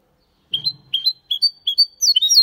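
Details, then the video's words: Goldfinch × canary hybrid singing a Malaga-style copy: five separate rising whistled notes, each slightly higher, spaced about half a second apart, then breaking into a quicker twittering run; a faint low rustle at the start. "Mixto de Jilguero Cantando Limpio (Video HD)Mulet de Chardonneret X canari /hybrid goldfinch singing"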